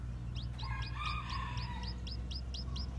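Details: Young white bantam chicks with black tails, newly hatched and roaming, cheeping steadily: high downward-hooked peeps about four times a second, over a faint low rumble.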